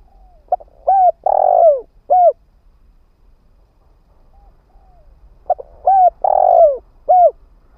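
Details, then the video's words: Caged spotted dove kept as a ground decoy, cooing to lure wild birds. Two phrases of low, hollow coos: a couple of short notes, a long drawn, falling coo, then a final short coo, separated by a pause. "Tiếng chim cu mồi đất kích bổi hiệu quả"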